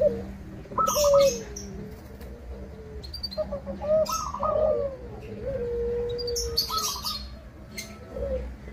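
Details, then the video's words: Local zebra dove song meant to goad other doves into singing: gentle descending coos and brief higher notes in loose phrases, mixed with scattered high chirps of other birds and a steady low hum. "Perkutut Lokal Gacor Suara Kristal"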